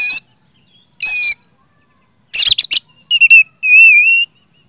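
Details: Loud, chattering 'gacor' song of a kacer, meant to coax silent magpie-robins to sing: rasping broadband notes, a quick flurry of swooping whistles, and a sustained wavering whistle at the end.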